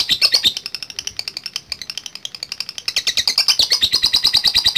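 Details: Lovebird in continuous 'ngekek' chattering song, a long bout meant to provoke rival birds; very fast, dense stream of shrill rattling notes, roughly three per second, barely pausing throughout.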